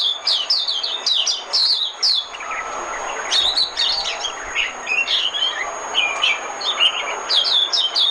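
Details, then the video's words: Oriental white-eye decoy song for luring birds: dense high twittering, quick bright chirps and short trills in clustered bursts, several overlapping phrases with brief gaps, over a steady faint background hiss. "Tiếng chim mồi - Tiếng chim khuyên mồi hay nhất 2017"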